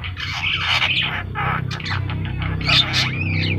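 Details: Javan myna singing vigorously: loud, grating squawks and rasping chatter with a few rising and falling whistled slurs near the end, backed by a constant low droning hum.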